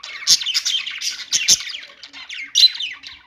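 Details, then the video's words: Budgies chirp and warble in lively, uneven bursts, with quick high tweets and harsher squawky notes from more than one bird. "budgies singing | budgie sounds | parakeet chirping sounds"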